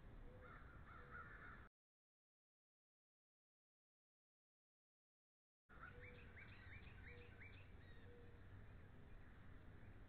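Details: Bald eagle, one of a nesting pair, recorded February 13, 2013: a quick run of thin, high, down-slurred piping notes near the end, after a brief faint chatter at the start, over a steady low rumbling background.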